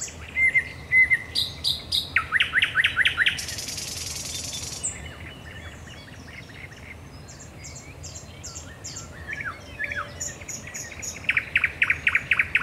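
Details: Thrush nightingale singing at night, Raszyn Ponds, 10 May 2021: rapid clicking series, a harsh buzzy rattle, then soft scattered notes and high whistles before another loud run of repeated chooks.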